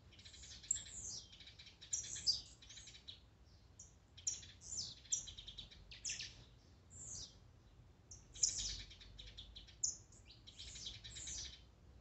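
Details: Blue-black grassquits in a warm-up mix of songs and 'macheados', meant to excite a kept bird: dense bursts of high, buzzy, downslurred notes from several birds overlapping, with short pauses between clusters.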